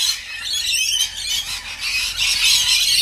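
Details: Rainbow lorikeets being fed produce piercing, overlapping squeals and screeches, growing louder and denser toward the end.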